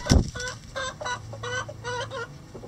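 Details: Chickens relaxing in a coop give a quick series of short, nasal clucks, about three per second and rising and falling in loudness, after a sharp knock at the start, with a low hum underneath.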